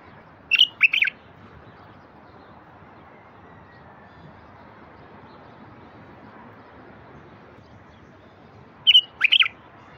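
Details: Song of a bulbul, used to get silent wild bulbuls singing. A short three-note warbled phrase comes early and repeats near the end after a long quiet gap, over soft constant hiss.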